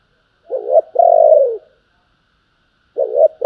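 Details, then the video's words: Spotted dove giving 'thúc' and 'gọi' style cooing: a bumpy double-noted opening runs into a sustained, low, slightly descending coo, and the next phrase begins after about two seconds of silence. "tiếng cu gáy Thúc và gáy gọi"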